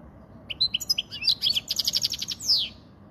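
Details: Spanish European goldfinch song meant to tutor young birds and excite females, a rapid run of liquid twittered notes and fast buzzy trills closing with a downward-sweeping rasp, low background hum.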